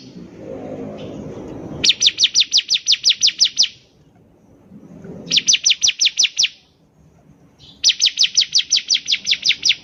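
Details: Bar-winged prinia (ciblek) lure song: three fast, even trills of ten to fifteen uniform high, penetrating notes each, with soft low murmuring between the trills.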